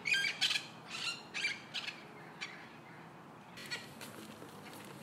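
Parrot calls: harsh, raspy squawks in short bursts, several in the first two seconds, then a longer rough screech near the end.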